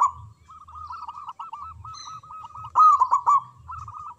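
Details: Local zebra dove singing loudly: a long unbroken chain of rolling, bubbling coos, peaking in a loud trilled burst in the later part, with faint high chirps present.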